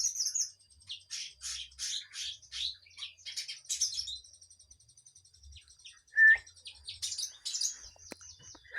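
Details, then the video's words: Kinoi singing actively: rapid series of high, buzzy, chattering notes in dense bursts for about four seconds, then sparse faint twitters, one loud short whistled note, and renewed scratchy chatter near the end. "Kinoy gacor"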